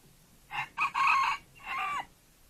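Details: Red junglefowl used as a decoy bird to lure wild junglefowl, described as sweet-voiced: a short broken crow in three bursts, the last phrase a drawn-out bend that drops at the end, over quiet background.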